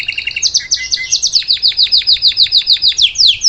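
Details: Salsa canary singing so a young bird can learn: short trill and a few chirps, then a steady run of loud downward-sweeping notes about five per second.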